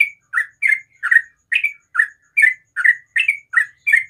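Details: Sooty-headed bulbul singing in the morning: short, slightly buzzy notes that rise then drop, repeated about two and a half times per second in a steady chattering series, with no other clear sounds.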